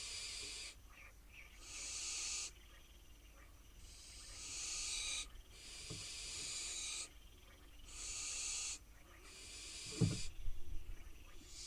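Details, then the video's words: Wild barn owl fledglings on a nest box in Israel keep up a string of about seven harsh hissing screeches while waiting for food, with occasional soft thumps and a scuffle near the end. "Barn owl fledglings wait for dinner on their nest box"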